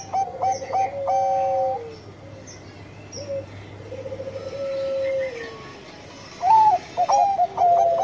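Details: Bangkok zebra dove, described as singing often with a sweet voice, with clipped notes and a falling held coo, a long soft purring middle stretch, then a louder burst of stepped staccato notes.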